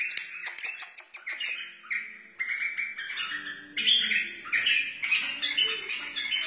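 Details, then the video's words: Song of a wild white-eared bulbul, aimed at tutoring chicks and rousing other bulbuls, opens with sharp clicking notes and moves into sweet, warbling whistles repeated in short phrases. "تغريد بلبل وحشي بدقة عالية اصلي لتعليم الفراخ و تحفيز البلابل"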